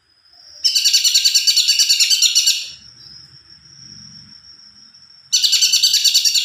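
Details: Greater green leafbird singing actively in a long rolling phrase: bursts of fast, high, rattling chatter about three notes a second, separated by a thin steady high whistle that carries on between the bursts.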